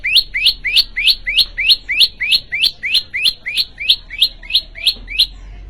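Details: Vigorous song of a prenjak lumut, a prinia from Indonesia: a long, very even series of rising, slurred chirps, more than three per second, continuing for several seconds before stopping.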